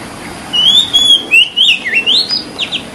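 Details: Oriental magpie-robin, white-breasted, in its natural setting: smooth, fluting whistles that rise and dip, linked into a flowing phrase and ending in quick sharp upward flicks, against soft background hiss.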